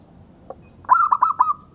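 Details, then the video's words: Local zebra dove singing, recorded as a tutor for other birds. One soft short note, then a phrase of four clipped, stuttering notes, each linked by a held, even coo that trails off at the end. "Suara Perkutut Lokal Buat Masteran"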